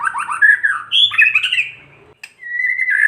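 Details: Kretekan-style singing of a white-rumped shama, used as a lure to make other shamas sing: rich tumbling warbles and rising whistles, a brief pause, then a steady, slightly buzzy whistled note.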